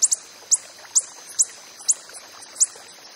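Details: Coppery-headed emerald hummingbird in the wild: a quick double chip, then single sharp high chips about every half second.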